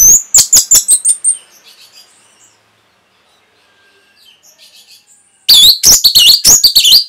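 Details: Orange-headed thrush song used as a masteran, a training recording for caged birds: a rapid run of loud, sharp high chirps, then a long stretch of soft twittering, then another burst of bright, ringing slurred whistles.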